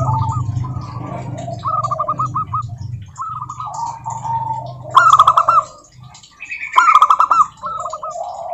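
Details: Zebra dove of the local type singing to prompt other doves to sing: several short rolling coo-trills in series, with lower softer cooing phrases between, two louder bursts, and a brief quiet gap near the middle.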